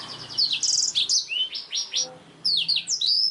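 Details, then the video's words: Black-throated canary singing a fast, high run of sweet whistles, rapid trills and rising slurred notes, with brief pauses between phrases. "BLACKTHROAT GACOR SUARA JERNIH"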